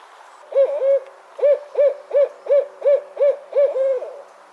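A Barred Owl gives a rhythmic series of about eight low, rounded hoots, the last drawn out into a falling 'you-all', in the familiar 'who cooks for you' pattern.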